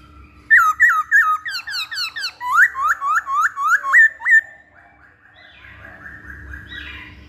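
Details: Masked laughingthrush singing in a lure or training recording: a quick series of loud, upslurred whistled notes, about three per second, fading into softer warbling.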